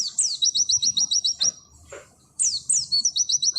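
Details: Oriental white-eye singing nembak tutor material. Short rapid trills of repeated high downslurred notes are each introduced by a descending whistled sweep, with a brief soft pause between them.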